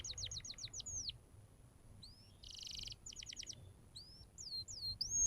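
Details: Fairly quiet canary song serving as a tutor for young canaries: a quick run of descending slurred notes, scattered upswept whistles, a short buzzy burst and another brief rapid series, separated by pauses.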